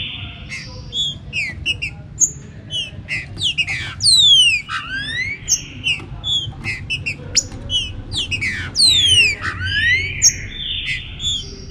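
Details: Warm-up singing of a green-winged saltator with rain: repeated bursts of steeply falling whistled slurs roughly twice in twelve seconds, amid many quick chirps, sustained high tones and other birds calling over a low background hiss.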